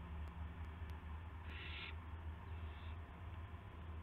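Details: Owl seen on a live camera at 8:00 PM on March 18, 2016, arriving with a gopher; a single loud, harsh hissing screech followed by a faint softer one, over low humming background.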